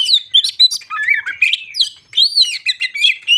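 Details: Crested Oriental magpie-robin singing to provoke other birds: fast, jumbled whistles and chirps, a clear arched whistle midway, then more rapid mixed notes.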